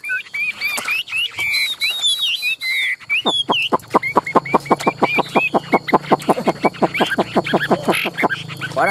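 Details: Chinese hwamei in a cage, singing a few varied whistled phrases, then breaking into a long, evenly paced series of sharp clipped notes lasting over five seconds.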